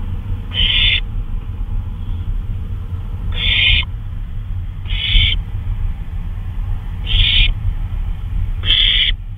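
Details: Owl recorded at 2:39 AM on May 26, 2013, out on a flyabout: five short, harsh, hissing screech bursts, each under half a second, spaced about two seconds apart over a steady low rumble.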